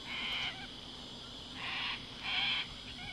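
Three harsh, raucous screeches from a sulphur-crested cockatoo, each about half a second long, grating and rasping, with short pauses between them.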